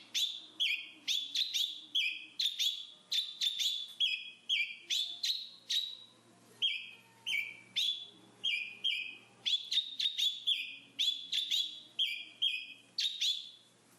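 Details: Black-capped babbler repeating short two-part whistled phrases, a sharp upslurred chirp followed by a lower note. About two phrases come per second, steadily over fourteen seconds.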